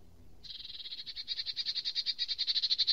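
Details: Eurasian nuthatch giving a fast, even trill of high, piping notes that begins after a short quiet and grows steadily louder, with notes pulsing rapidly to the end.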